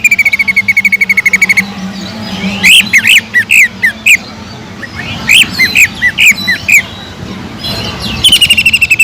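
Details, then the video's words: Greater green leafbird lure song with kingfisher-mimic filler for training other birds: a fast, even trill of rapid repeated notes opens and closes the passage, with bursts of varied, sharp rising and falling whistled notes between. "PANCINGAN CUCAK IJO GACOR ISIAN ISTIMEWAH TENGKEK UDANG"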